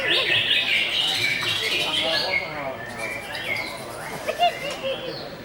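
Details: Greater green leafbird delivering a busy stream of high chirps and trills, loudest at the start then thinning into scattered whistles and short warbled notes.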